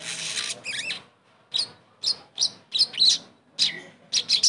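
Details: Crimson sunbird (sogon) therapy song to bring a silent bird back into song: a scratchy high opening, then separate short, piercing chirps repeated about twice a second.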